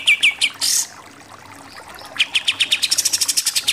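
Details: Pied triller song fragments: a few sharp opening notes and a brief high buzz, a second of near quiet, then an accelerating run of quick piercing notes in 'nembak-nembak' shooting style.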